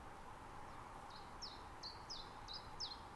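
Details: A common chiffchaff, recorded in mid-spring in a nature reserve in Estonia, gives a series of thin, high, down-slurred notes, about two per second, over a steady background hum.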